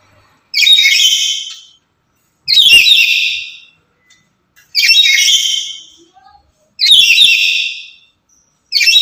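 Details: Noisy caged lory described as the most talkative and loudest, used to lure and teach other lories; strident rasping screeches roughly every two seconds, four full calls and the start of a fifth.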